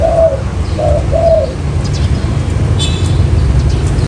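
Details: Spotted dove lure call in the Mailai style, played to draw in wild doves for trapping: three soft, mid-pitched coos in quick succession over the first second and a half, then a steady low rumble with faint high chirps.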